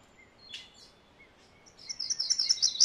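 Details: MacGillivray's warbler singing a quick series of high, bright, rolling notes that grows louder toward the end, after a short scratchy note and a few thin, faint whistles from other birds.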